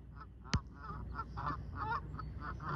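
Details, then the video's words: Canada geese taking off in the morning: a quick run of nasal honks, several per second, over a low rumble of background noise, with one sharp click near the start. "Canada Geese taking off in the morning"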